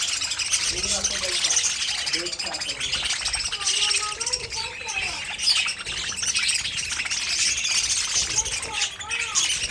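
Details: Several parakeets housed together in an aviary chirp and warble without pause, producing a thick, high-pitched chatter with brief rising whistles and faint low murmuring.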